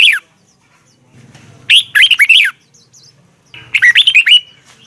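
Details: Caged red-whiskered bulbul in morning song used to train other birds, with a double twisted voice: two bursts of bright, fluty warbled notes with quick up-and-down slurs, separated by a quiet gap.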